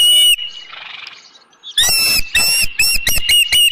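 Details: Osprey at the Dunrovin Ranch nest with a fish, afternoon of 19 May 2018: one sharp squeal, then a soft breathy rustle, then a burst of loud, high, harsh chirps in uneven groups of two or three.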